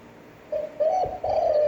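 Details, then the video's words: Long, attractive coo of a spotted dove, a standard voice for daily training of decoy birds: a soft lead-in note, then two drawn-out hooting syllables, the second wavering and slowly falling. "Tiếng chim cu gáy chuẩn (kích bổi, hơi dài, giọng hấp dẫn, luyện bổi mỗi ngày)"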